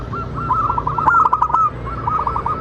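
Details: Local zebra dove song used as a lure to prompt other doves to sing and reply. Dense, fast strings of soft cooing notes, two slightly different pitches overlapping, with a few faint clicks over a low hum.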